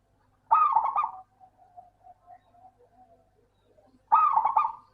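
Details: Local perkutut, the zebra dove, singing as a lure for doves that rarely sing; two short bursts of quick stuttering coos separated by about three seconds of faint murmuring notes.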